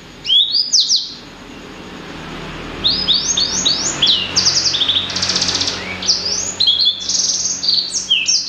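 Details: Blacksang, a hybrid of blackthroat and sanger, singing melodiously: bursts of high, sharp, down-slurred whistles in rapid clusters, with a short pause after the opening phrase and then a long run of trills.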